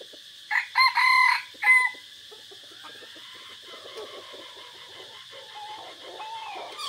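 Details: Red junglefowl decoy cock, recorded on a forest outing on 3 April 2024, gives one short, clipped crow of four harsh, broken notes in under two seconds; faint twittering from other birds follows.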